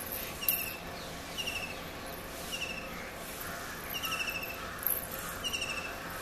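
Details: Kingfisher song of brief, bright trilled chirps given in small clusters at irregular intervals, fairly quiet against a constant hum of insects and ambient noise.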